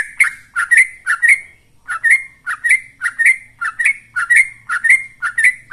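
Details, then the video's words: Yellow-vented bulbul singing the quick 'ropel' style meant as a lure for kept birds: chattering, gurgly repeated phrases, slightly more spaced with a short break near two seconds, over a faint low hum. "Suara Trucukan Ropel"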